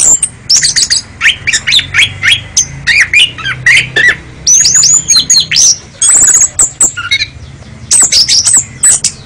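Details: National champion kacer songbird giving a dense, energetic mix of high whistles, harsh squawking notes and rapid chatter, phrases tumbling almost continuously with brief pauses, faint low hum underneath.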